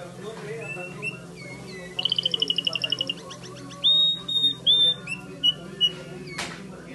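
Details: White Timbrado canary from California: a rapid pulsed trill followed by long level whistles and short whistled notes, over a low steady hum.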